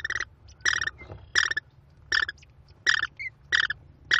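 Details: Five hungry American kestrel nestlings being fed by their mother at a Cornell nest, 18 May 2021, give loud raspy screeching squeals, repeated about every two-thirds of a second, with brief soft notes between.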